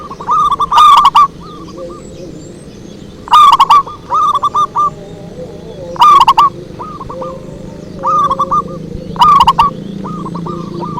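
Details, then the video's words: Zebra dove lure song (pikat): repeated loud rolling coo phrases roughly every three seconds, each tailing into softer spaced coos, over a low rumbling background. "Suara Merdu PIKAT PERKUTUT"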